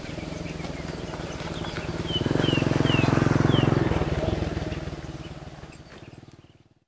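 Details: Common kingfisher (Alcedo atthis) chicks waiting for their mother to return give a low, buzzy, rapidly pulsed churring that swells and fades, with a few thin, high, down-slurred whistles over it.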